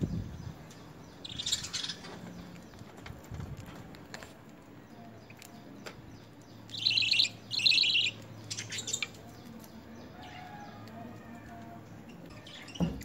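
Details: While being hand fed spinach and coriander in early training, lovebirds utter scattered grating buzzy bursts, a pair of louder raspy calls midway, then silence with low hum and a few clicks.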